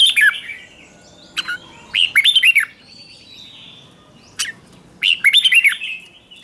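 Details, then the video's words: Red-whiskered bulbul decoy bird singing to lure wild bulbuls: short bright warbled phrases, each a quick run of rising and falling notes, given in three bursts about two to three seconds apart, with brief sharp clicks between. "Chào mào mồi gọi bổi không tạp âm, tiếng chào mào mồi gọi là đến"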